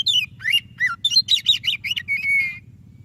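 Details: Continuous white-rumped shama song for prompting a silent bird: downslurred and upslurred whistles, a quick series of zigzag notes, and a closing held whistle, with a low hum throughout.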